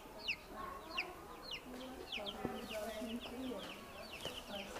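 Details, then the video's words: Newborn chicks give quieter high cheeps in a scattered chorus, with low murmuring, faint clucking and background clatter underneath. "New born baby chickens"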